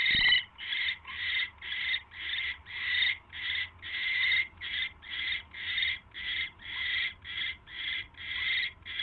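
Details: Owl on a night camera, January 28, 2016, linked to catching a mouse: a sharp click, then around nineteen rasping, hissy bursts repeated about twice a second without pause.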